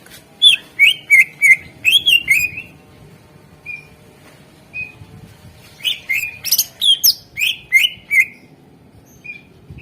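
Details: Greater green leafbird song meant to make reluctant birds sing: two rapid runs of about six chirpy, downslurred whistles each, separated by a pause with single short whistles, with a quiet hiss underneath.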